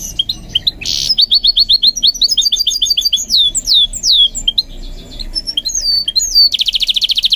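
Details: Goldfinch mule in song training pours out clear rapid twitters, rising and falling whistled slurs and a rattling buzz at the start and end, loud and close.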